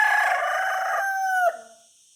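A rooster gives a loud, harsh, sustained crow, held steady for over a second before dropping off abruptly; nothing else is heard.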